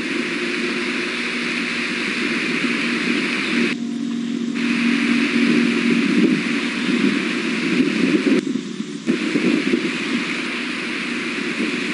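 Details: Only a steady, hissing rumble like wind or a running engine is heard, with no clear animal calls. Two brief drops in the noise break it up, but no voice stands out.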